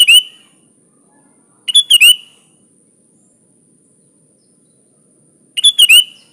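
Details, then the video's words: Sooty-headed bulbul's chatty training song: three short tumbling phrases of quick bubbly notes with a downward-slurred finish, separated by gaps of a few seconds of near silence. "Suara Burung Kutilang Gacor full isian alam"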